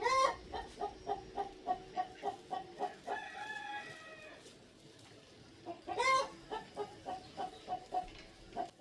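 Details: Several hens in a South African suburban garden burst into an excited chorus as a Hadeda chick hatches: a steady run of clucks, about three a second, broken by a drawn-out, rising squawk and another loud burst.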